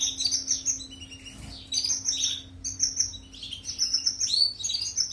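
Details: European goldfinch pouring out a twittering song for canaries to copy: bright rapid chirps in phrases broken by short gaps, some downward-sweeping buzzy notes, over a quiet mains-like hum.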